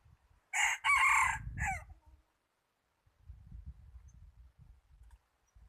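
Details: Decoy red junglefowl for luring wild birds, 26 January 2019, gives one hoarse multi-part crow with a rasping final flourish, framed by low rustling and handling thumps before and after.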